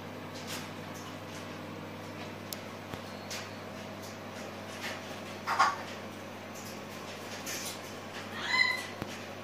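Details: Senegal parrot (Poicephalus senegalus), call.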